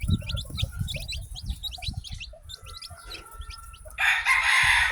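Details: Newly hatched chicken chicks peep rapidly in high, thin chirps amid low thudding sounds, before a harsh rooster crow starts loudly near the end.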